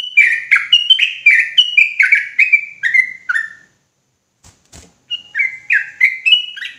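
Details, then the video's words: Agitated sooty-headed bulbul song: a long, energetic chain of bubbly, descending whistled notes, nearly two per second, then a brief gap with a couple of clicks before the fluty phrases resume. "Trucukan gacor ROPELAN NGOTOT EMOSI !!!"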